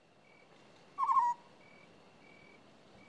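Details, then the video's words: African scops owl giving a single short, purring trilled note, a brief rolling burr lasting about a third of a second, against a quiet background with a faint steady insect-like tone. "African Scops Owl"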